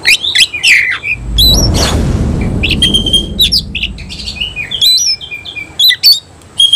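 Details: Semi cililin oriental magpie-robin in full song, tail fanned open; high whistled slurs and sweeping notes, a dull thump of handling noise early on, then thin whistles and clear piping notes resume.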